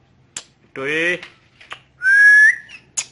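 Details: Green ringneck parrot described as talking in Urdu/Hindi: a short buzzy, speech-like harmonic utterance, then a clear whistled note held for about half a second and rising at its end, with a few soft clicks between.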